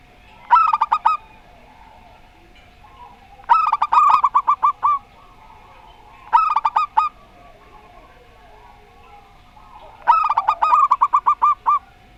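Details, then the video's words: Local zebra dove in the Rondo Semoyo song style repeats four stuttering coo phrases every three seconds or so, some short, some stretched to about ten quick notes, over a steady faint hum. "Perkutut Lokal Rondo Semoyo VS Perkutut Suara Aneh"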